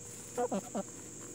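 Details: Plymouth Rock and Hamburg chickens in a natural outdoor setting: three short, rounded, harmonic clucks in quick succession over a steady high hum and faint background noise.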